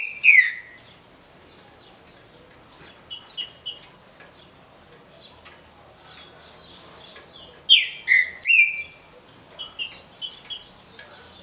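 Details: Green-winged saltator (trinca-ferro) giving an "easy" wheel-type song: loud, clear whistled phrases that slur down and up, in bursts near the start and around eight seconds, with softer chirps between.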